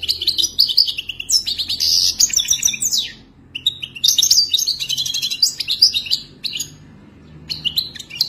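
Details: Moroccan European goldfinch, wild type, singing its wadani-style song: long bursts of rapid tinkling, twittering and buzzy notes, broken by a brief pause near three seconds and again near six seconds.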